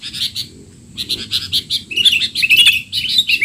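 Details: Sooty-headed bulbul giving noisy 'teler' calls as tutoring material for young bulbuls: short clipped chirps at first, then a denser, louder run of twittering warbled notes.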